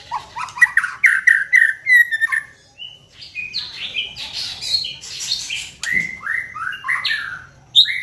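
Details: Lure song of a kept white-rumped shama, meant to get other shamas singing: a quick series of rising whistled notes, a brief pause, then a jumble of buzzy and whistled phrases with a sharp downward swoop.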